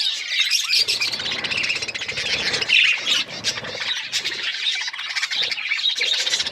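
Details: Budgerigars, Australian parrots, eating corn; busy overlapping squawks and high chirps from a group, with short pauses between loud bursts.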